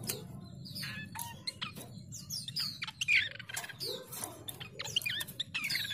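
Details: A chestnut-capped babbler, played as a lure call to draw in rivals, gives quick sharp chirps and short descending whistled notes in rapid bursts, with other small birds chattering and a low background hum.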